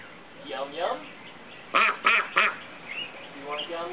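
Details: Pet ducks kept at a home, quacking in the morning: a few loud harsh quacks in a quick burst of three, with softer nasal calls before and after and a person's voice nearby.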